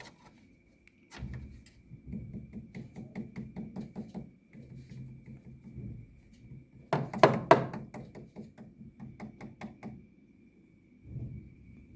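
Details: Dull, irregular knocks and thumps in a small room, with a louder cluster of sharp knocks midway and no clear animal voice.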